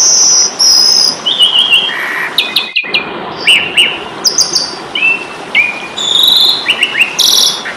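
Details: Jalak suren (Asian pied starling) singing aggressively for an Indonesian training recording: separated high whistles, short chirps and sliding squeaks with harsh bursts, briefly interrupted by a gap.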